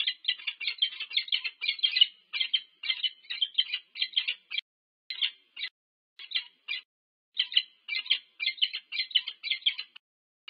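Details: Nest-camera recording of a peregrine falcon pair meeting at the nest, UC Berkeley, USA, 25 August 2023: hoarse, grating chips rattled off about two per second in uneven bursts, with brief gaps, no other sounds.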